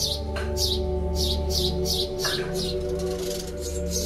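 A sparrow gives short, bright chirps about every half second over a steady, humming musical drone.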